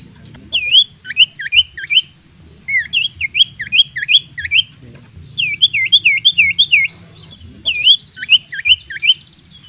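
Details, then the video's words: Common iora in vigorous song, a song used as a lure to provoke rivals into fighting: clear whistled notes that dip and curve upward, delivered in quick runs of four to six, over a low steady hum. "Kicau burung sirtu/cipoh gacor cocok untuk pancingan lawan tarung"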